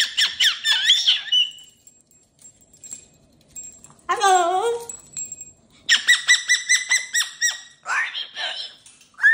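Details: Pet cockatoo with new jingly cage toys, babbling in a mix of short squawky syllables, a brief lower rough warble, and rapid stuttering buzzy chatter. A faint high whine is heard between the calls. Indoors.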